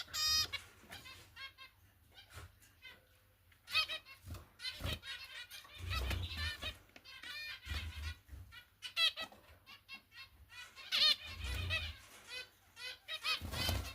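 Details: Young zebra finches give rapid, harsh, buzzy begging calls in busy bursts while their mother feeds them.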